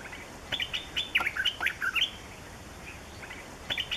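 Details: Yellow-throated bulbul calling: a quick burst of bubbly, chirped notes rising and falling for about one and a half seconds, a pause with steady background hiss, then another short chirped phrase near the end.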